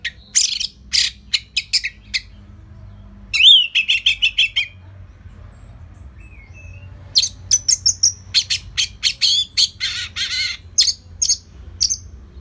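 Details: Anis merah, the orange-headed thrush, singing steadily as a lure for other songbirds. A long, varied sequence of sharp repeated notes and slurred whistles runs with brief pauses between phrases.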